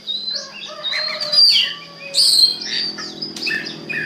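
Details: Oriental magpie-robin singing as a lure to set other magpie-robins singing: a busy, varied run of high whistles, slurred notes and scratchy chirps, continuing without a break over a low steady hum.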